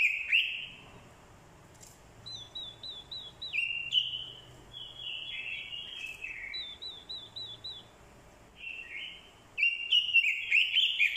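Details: Fighting song of an orange-headed thrush lure bird, prompted by a female calling. Spaced phrases of quick, regular looping notes drop into warbles, ending with a loud, rich burst.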